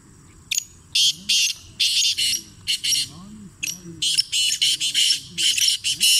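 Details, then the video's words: Black francolin heard in winter, giving a long run of coarse, grating bursts, some clustered into rapid series near the end, over a soft background of low human voices. "Kala Teetron ki Sardia Me Bolna Wale Awaaz"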